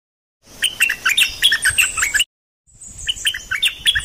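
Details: Nok dok taeng, a Thai bird whose song is used for training young birds and getting birds excited: fast, high, jumbled twittering and chirping in two short bursts separated by a silent gap, with a thin high whistle between them.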